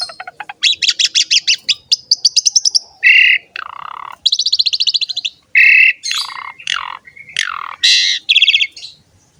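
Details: Asian pied starling (jalak suren) in vigorous song used to lure starlings: buzzy rattling trills, grating squawks and falling harsh notes in quick alternation.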